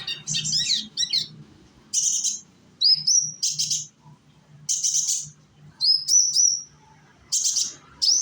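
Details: Young sunbird singing in Indonesia, played as a lure to get other birds singing: repeated buzzy high bursts alternating with thin rising whistled slurs, phrases every second or so, soft low hum behind.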